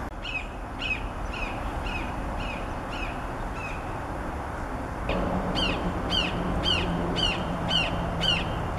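A red-shouldered hawk gives a fast run of sharp, slurred, down-slurred screams, about four per second, rising in strength midway, over low rumbling background noise.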